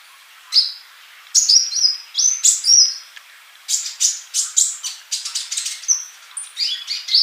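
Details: Male sunbird in lively song, kept to teach song to silent youngsters: quick series of sharp, high descending chirps and short whistled slurs, repeated in tight bursts.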